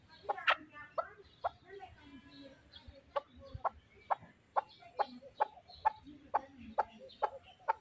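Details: Short, sharp chuck calls from a fighting chukar partridge repeat about every half second at a steady pace, with low background noise and faint murmuring.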